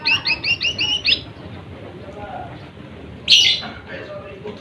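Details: Song of a lesser green leafbird meant to provoke opponent birds. A fast string of six sharp, high chirps opens the clip, followed later by one loud harsh burst over faint background noise.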